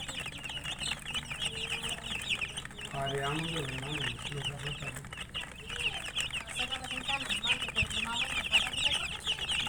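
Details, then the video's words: Domestic chicks chirp in a dense high chorus while an adult hen gives a low, wavering cluck in the middle, then the peeping continues. "Murgi chicks Chirping sounds"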